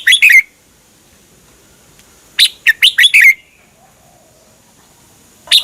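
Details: Red-whiskered bulbul song for caged birds to copy: a fast run of chirpy whistles, then a fuller phrase of five bright notes falling at the end, before another phrase begins.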